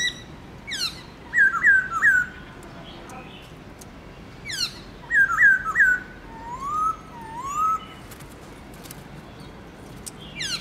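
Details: Black-throated laughingthrush singing a varied forest-voice morning song. Twice it gives a steep falling sweep and three looping whistles, the second time ending in two slow, low rising whistles.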